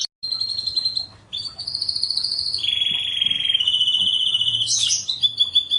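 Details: Canary master song, very melodious: after a short gap, sustained high whistled notes and a long buzzy mid-pitch tone, then a sharp rising burst and a steady high trill to the end.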